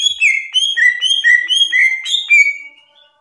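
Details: Masteran song of a greater green leafbird (cucak ijo), ranked national top one: a clear whistled phrase of rapidly alternating high and lower notes, repeated several times and ending in a falling slur.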